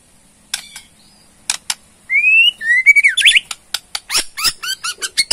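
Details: Bornean white-rumped shama, a kept bird, giving rising clear whistles that run into a fast series of harsh rattling notes, the provoking rattle of its song.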